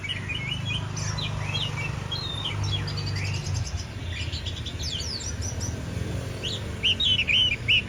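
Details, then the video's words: White-rumped shama (kacer) in lively song: a continuous run of varied whistles, quick trills and sharp chirps, with louder clear slurred notes near the end, over a steady low hum. "Kacer gacor"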